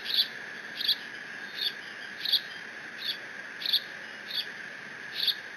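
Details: Decorah bald eagle eaglet alone with a fish its father delivered, June 30, 2017. Eight sharp, high squeaks evenly repeated about every 0.7 seconds, over a constant background hum.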